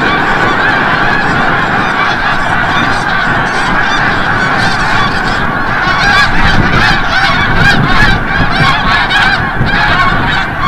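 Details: Snow geese coming back from the bay at sunset, Forsythe National Wildlife Refuge, Oceanville, New Jersey: a steady flock din, with sharper individual honks standing out more clearly in the second half.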